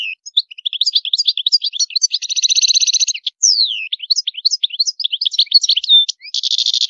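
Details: European goldfinch song with high song phrases: a continuous, liquid twittering of quick high chirps broken by rapid buzzy trills, with sliding whistled notes in between.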